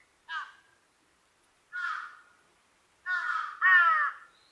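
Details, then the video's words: A large-billed crow gives its ground call: four hoarse, nasal caws, two single caws about a second and a half apart, then a closer pair, over an otherwise quiet background. "ハシブトガラス 地鳴き"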